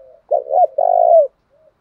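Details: Single spotted dove coo phrase used as a fighting lure for rival doves: a quick wavering double note followed by a long, steady, slightly falling coo.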